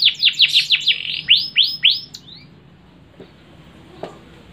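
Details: Kenari canary giving cengkok hacker song: a series of about a dozen bright, swooping high notes repeated several times per second, slowing and fading, then near-silence with a faint click.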